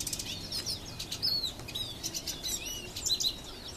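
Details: Goldfinch singing in a tree, recorded on a Nikon P510: a dense, rapid twittering of high, sliding chirps and trills that flows almost without pause.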